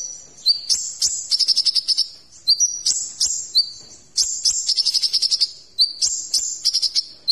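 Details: Sunbird (kolibri ninja), a tutor recording for training magpie-robins and other songbirds, full of varied phrases: high, sharp shrill notes sliding upward, then rapid pulsed trills repeating in bursts about every two seconds.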